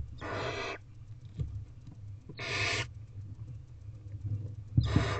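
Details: Owlets of wild barn owls in a nest box on an April 2023 evening, begging as food arrives, utter three loud rasping hisses, each around half a second long and roughly two seconds apart, above a steady low droning background.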